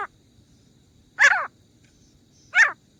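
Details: Grey francolin, teetar, hunting call: a pair of loud, rasping, downward-sliding notes more than a second apart, following the tail of an earlier note, in a quiet setting.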